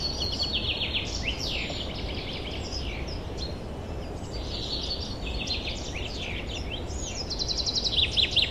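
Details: Forest birds singing in spring 2023: a dense chorus of overlapping high trills, quick chirps and whistled phrases from several birds, with a steady low background rumble throughout.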